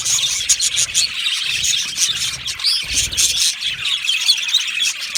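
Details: Budgerigars in an aviary colony, steady stream of shrill chirps and squeaks from many birds at once, with faint low rumbles underneath.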